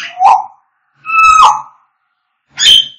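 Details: African grey parrot: three loud calls, a low hooting whistle, then a rich harmonic whistle that rises and breaks, and a sharp high squawk sliding downward, all in quiet surroundings.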